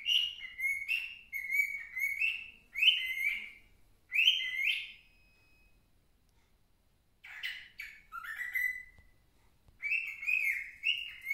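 A young cockatiel sings a run of bright, warbling whistles with short speech-like phrases mixed in.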